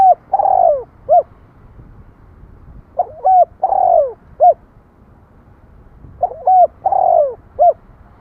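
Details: Rapid series of spotted dove coo phrases, three in about eight seconds, each built of short hooked notes, one long falling coo and a short final note.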